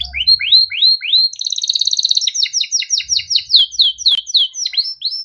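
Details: Yellow Timbrado canary song opening with five rising whistled upsweeps, then a quick buzzy trill and a long chain of clipped down-slurred notes.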